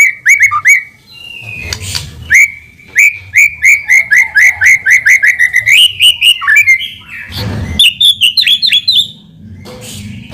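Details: White-rumped shama singing as a provoking lure: rapid runs of loud looping whistles repeated about four times a second, shifting pitch midway, with a few harsh bursts between phrases.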